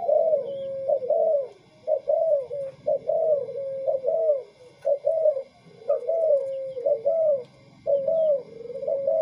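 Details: Tame spotted dove cooing in a steady series of short, mellow, slightly rising-then-falling notes, about one each second, with faint higher chirps from other birds in the background.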